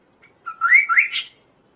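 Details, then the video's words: Kaso-kaso bird song, meant to train and lure other birds, with a flat whistled note sliding into three rising, ringing phrases that end higher and brighter. "suara Burung Kaso-Kaso gacor"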